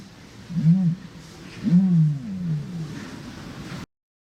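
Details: Male common ostrich booming, a deep resonant call given in mating season to attract females and mark territory: two low, moaning notes, the second drawn out and sliding downward, over faint background hiss.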